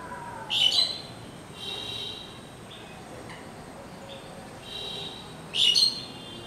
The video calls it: Calling of Asian Pied Sterling || গো শালিক পাখির ডাক